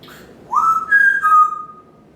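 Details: Pet parrot on its stand in a kitchen and dining area, morning routine: one clear whistle sliding up, holding a steady tone, stepping higher, then settling on a long even note.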